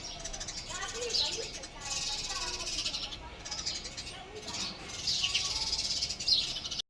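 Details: Male house sparrow chirping in a run of bright, high-pitched bursts, each lasting under a second, with short gaps between them. A low murmur stays underneath throughout.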